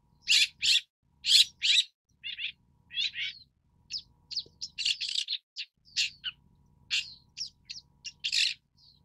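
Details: Long-tailed Shrike (Lanius schach) giving an irregular series of harsh, scratchy, broadband notes, some single and some in quick pairs, with short pauses between bursts.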